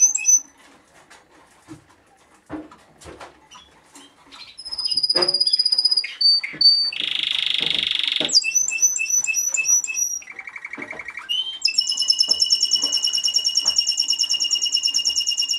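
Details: Timbrado Español canary male, vice-champion at the 2013 German championship, singing varied tours: high whistled notes, a dense buzzy rolling section, a lower rapid trill, then a bright fast rattling trill, over quiet background clicks.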